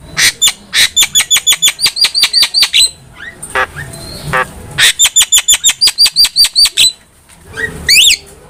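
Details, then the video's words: Active Javan myna song for training cage birds: two long rattling series of rapid identical notes separated by harsh rasping calls, ending with rising looped whistles. "MASTERAN JALAK KEBO GACOR"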